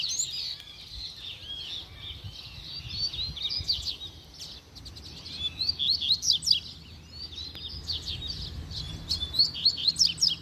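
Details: Wild rusty-collared seedeater in scrub after chasing a female, agitated: long bursts of rapid high twittering and sharp slurred notes, loudest near the end, over a low steady background hum.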